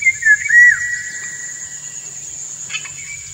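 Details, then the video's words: Indian golden oriole male courting a female with song; a short burst of mellow whistled notes opens, dipping and sliding down, then fades into continuous shrill insect buzzing. "Indian Golden Oriole - An Uncut Courtship Session"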